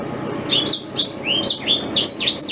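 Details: Tutor song of a black-throated canary for a white-rumped shama: a lively run of high whistled slurs, some swooping upward, others dropping, with quick bright accents toward the end.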